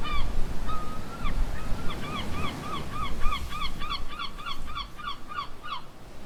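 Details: Seabirds by the sea at Fossils Beach in the Basque Country, giving a rapid series of loud, short, laughing yelps that quicken and crowd together, over a low steady roar of surf.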